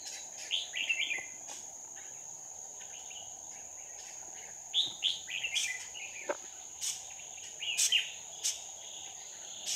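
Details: Wild red-whiskered bulbuls being lured by a decoy during trapping, 2 May 2019: scattered brief warbling phrases and chirps with pauses, sharp clicks between, and a continuous high insect tone behind.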